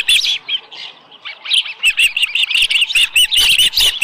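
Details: At the nest with a small live fish on a July 2018 morning, an osprey gives fast, repeated high whistled chirps that start sparse and build into a steady, insistent series of rising and falling cheeps.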